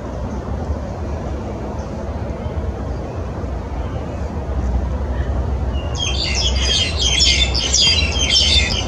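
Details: Black-collared starlings at Yuen Long (dated 1 14 18) break into a dense burst of harsh, squeaky chattering in the last three seconds, over a steady low rumble of traffic.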